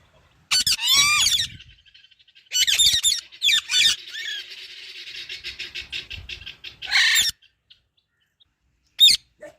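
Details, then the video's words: Pet parrots chirping loudly: bursts of high, sharply bending whistled chirps with harsh edges, then a rapid run of repeated short chatters fading out, a loud rasping squawk near the end and one final sharp note after a pause. "Parrot Natural chirping sounds |parrot chirping sound | Parrot calling sounds |loud parrot chirping"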